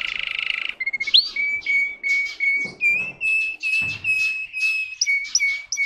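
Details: Russian canary bred for song, caged: a buzzy opening followed by long, even whistled tours with soft modulation and a few upward-swept notes, steady and melodious.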